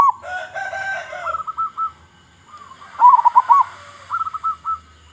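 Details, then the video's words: Local zebra dove in Indonesia singing with a strong voice to lure its kind: short staccato coo runs and one loud bubbling burst, with a faint buzzy sound at the start. "Perkutut Lokal Gacor Suara Besar Suara Paling di Sukai Burung Perkutut apa Saja"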